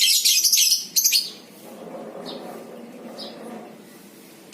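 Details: Lovebird of the Batman or Violet FC variety, recorded as a lure to trigger ngekek chattering in other lovebirds. A dense burst of shrill, rapid, high chattering lasts about a second, a second short burst follows, then faint scattered chirps over room hum.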